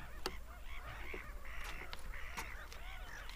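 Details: Seagulls screaming: short arched cries from several birds repeat among sharp clicking knocks, over a low continuous rumble.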